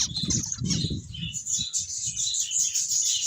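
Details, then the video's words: Finches chirp in a thin, high continuous chatter while wings flutter loudly at the start, followed by lighter rustling under the calls. "Cute Finches Chirping Sounds"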